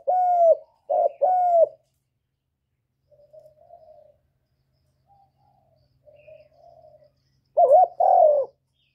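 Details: Spotted dove coo meant to stimulate newly kept birds: three low hoots at the start, a stretch of faint murmuring coos, then two louder wavering notes near the end.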